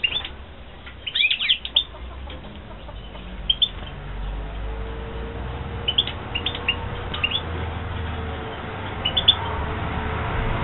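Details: European goldfinches bred in captivity in 2016: clusters of thin, rapid twittering notes over a steady low hum, with a busy burst early on and scattered chirp groups later.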